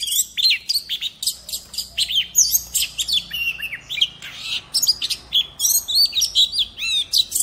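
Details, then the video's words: Oriental magpie-robin used as a decoy, singing in wild voice (giọng rừng): a dense, lively stream of bright whistled slurs, clicks and chattering notes repeated rapidly for the whole stretch, with faint low background rumble. "Chòe than mồi hót giọng rừng cực hay"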